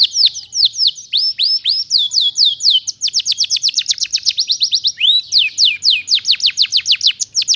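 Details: Energetic canary song used as a tutor and lure recording for training magpie-robins. High, steeply falling chirps are strung into rapid rolling trills, speeding up into dense bursts and then slowing again. The background is quiet.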